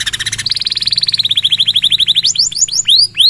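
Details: Singing canary, meant as a model for other birds to copy: a long, very fast rolling trill that slowly drops in pitch, followed by a few bright upward-hooked whistles.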